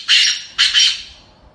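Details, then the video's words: Female black francolin giving two hoarse, grating squawks about half a second apart, the second broken in two, loud against near silence. "Black Farcolin voice sound کالے تتر کی آواز"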